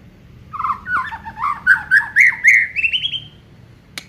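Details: Aceh white-rumped shama in full song, showing off its repertoire. A continuous chain of looping, slurred whistled notes climbs gradually from low to high over about three seconds, ending with a click.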